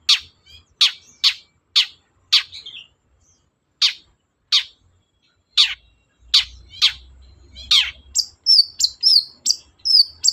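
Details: A long-tailed shrike sings at dawn to provoke replies from other birds. Spaced sharp, scratchy notes come first. Then a quick string of high, clipped whistled notes follows.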